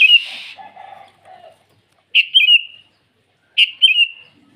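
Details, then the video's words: Sooty-headed bulbul singing in the morning to call rivals, two crisp phrases of a high note falling into a rolling trill, after an opening of rough, blurred sound and low murmurs. "Suara burung kutilang memanggil lawan di pagi hari"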